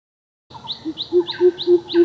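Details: Greater coucal, or crow pheasant: five short, flat, low hoots spaced roughly a quarter second apart, growing steadily louder, beneath repeated thin rising chirps and twitters from smaller birds.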